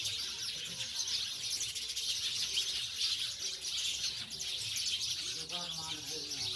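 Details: House sparrows in a rural village setting, steady busy chatter of high chirps from several birds throughout, with a human voice briefly heard near the end beneath the birds.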